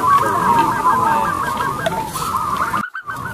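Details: Strong-voiced local zebra dove used as a lure, singing continuously: a run of rapid bubbling coo notes that breaks off briefly near the end.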